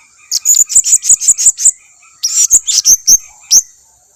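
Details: Blue-crowned hanging parrot lure call, meant to make other hanging parrots answer: a rapid run of shrill, very high squeaky notes, then a short pause and a second quicker burst, over a steady high insect-like hum.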